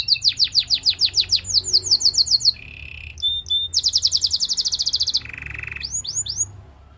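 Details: Belgian singing canary song aimed at seducing other canaries: rapid high chirps in pulsing series, a low buzzy roll, a long fast trill of repeated notes, another rattle, then a few swooping whistles fading out.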